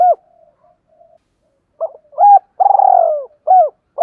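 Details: Caged decoy spotted dove calling to lure wild doves, in the 'thúc' and 'gáy luân' styles: short hooked coos with a low rolling, pulsed note in the middle, given in uneven bursts separated by pauses.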